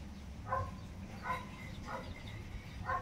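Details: Tinamou chicks, named as Cinereous Tinamou and Little Tinamou: short soft calls with harmonic bands, four notes spaced roughly every 0.7 seconds, over a low steady rumble.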